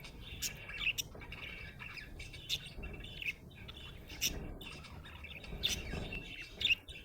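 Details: A happy budgie chirps in a lively stream of scratchy warbling, interrupted by sharp, loud clicks and squeaky whistles every second or so, with faint low rumble beneath.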